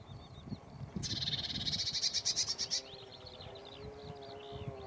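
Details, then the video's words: Lesser whitethroat giving a dry, fast rattle of evenly repeated notes lasting about two seconds, with softer twittering from other birds before and after and a low background rumble. "Lesser whitethroat"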